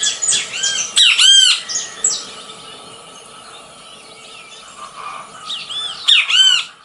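Great Kiskadee giving loud, shrill, arched call notes in two bursts several seconds apart. Other faint bird chatter is heard behind it.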